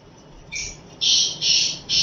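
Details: Black francolin calling, a series of loud harsh grating notes, one short note followed by three longer rasping bursts in quick succession.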